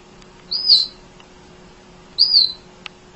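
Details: Tireless munia singing for songbird training: two thin, high, arched whistles about one and a half seconds apart, plus a faint click near the end.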